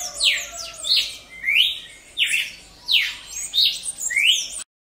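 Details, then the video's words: Cardinal of the genus Paroaria singing in the wild: clear loud whistles sweeping down then up in alternation, roughly one per 0.7 seconds, ending abruptly after about four and a half seconds. "Cardeal cantando na natureza"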